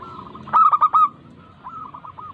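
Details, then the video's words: Local zebra dove cooing, used to prompt lazy doves into song: a loud cluster of four quick, level, soft-toned notes, then a quieter answering phrase of similar stuttered coos a moment later. "Pancingan Ampuh perkutut lokal Bikin Yang malas langsung Gacor manggung Merangsang supaya bunyi"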